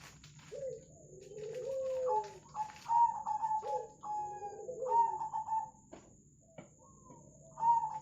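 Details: Zebra doves (perkutut), local and Bangkok types, with local derkuku, recorded as a lure to make birds sing; repeated soft mid-pitched coos with rolling, stepped phrases, several overlapping, separated by short pauses, a faint steady hum behind.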